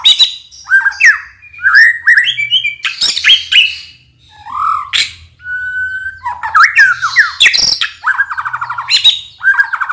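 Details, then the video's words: Indonesian white-rumped shama song meant to train other birds: dense medley of slurred whistles, harsh noisy bursts, a pure steady whistle and quick rattling trills, delivered without pause over ten seconds. "PANCINGAN MURAI BATU FULL isian"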